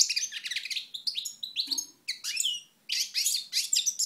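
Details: European goldfinch in Moknine, Tunisia, 2012, singing a rapid run of bright, high twittering phrases with buzzy trills and sliding notes, broken by short pauses.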